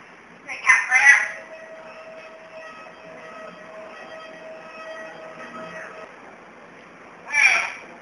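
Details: An angry pet Black-capped lory (Lorius lory), upset at not being picked up, gives two harsh, raspy screeches, one at the start and one near the end, with a steady mechanical drone between.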